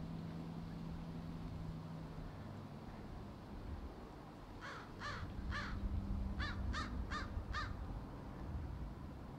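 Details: Low background hum for several seconds, then crows gathered in a tree break into about eight quick, harsh caws in two short bursts.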